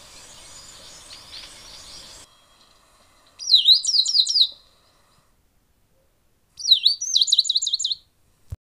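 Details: Tricolored brushfinch song: two high, thin phrases, each opening with a sharp downslurred note followed by a rapid run of looping, wavering whistles, separated by a few seconds of silence; faint noise in the opening seconds.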